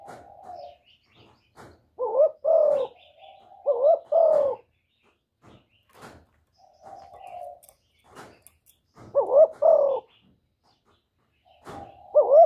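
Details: Spotted dove calling to lure others into traps: a repeated phrase of soft level coos followed by loud, rolling, throaty double coos, recurring every few seconds with short clicks between.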